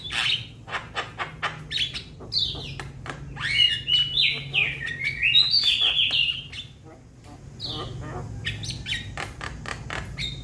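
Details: Young Javan myna calling to companions, quick clicking chatter leading into a run of whistled, rising and falling slurred notes, then softer chatter; a low hum in the background.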